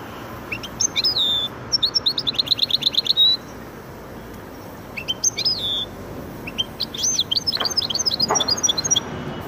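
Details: Hybrid of goldfinch and canary in song: high sweeping whistles and a fast buzzy trill, then scattered chirps and twittering phrases after a pause.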